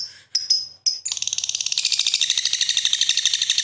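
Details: Lovebird in a long ngekek chatter: a few high shrill notes, then a rapid run of harsh clicking chirps repeating about eight times a second and building into a dense, continuous high-pitched chatter.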